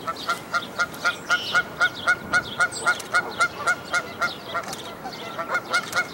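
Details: Canada goose by a tree nest from which five fluffy goslings leap to follow their mother: a fast, steady run of loud nasal honks, about four per second, over chirping background birds.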